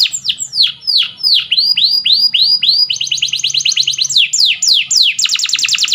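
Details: Canary song used for training other canaries: loud, fast rolling trills of high sweeping notes, shifting between slower falling sweeps and rapid repeated tours.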